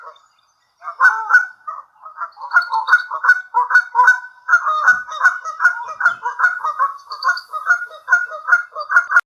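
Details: At Sand Harbor on Lake Tahoe, Nevada, a Canada goose begging for food starts after a short silence and keeps up a steady, rapid stream of harsh honks, roughly two or three per second, without pause.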